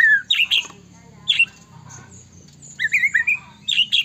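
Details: Singing white-rumped shama used to trigger song in other shamas; sharp loud notes, a pause, then a quick rising and falling whistled run and more harsh notes, with a low hum beneath.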